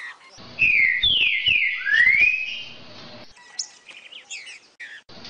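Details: Green-winged saltator song, played to warm up a captive bird and get it singing: loud, clear whistled slurs, first falling, then one long rising whistle, followed by softer, short, higher notes toward the end.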